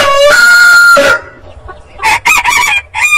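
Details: Rooster crow rising to a bright, held harmonic note, then fading, followed by short clucking bursts.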